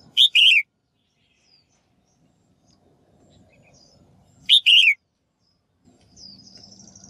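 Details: Female bird calling to stimulate males to sing: two strong two-note whistled calls about four seconds apart, a faint thin high whistle later, and low rumbling background toward the end.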